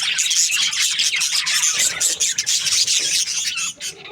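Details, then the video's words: Breeding pairs of budgerigars, the Australian parrot, in a busy chorus of scratchy, rasping chirps and squeaks that run together, fading slightly at the very end. "Budgies parrot chirping sounds"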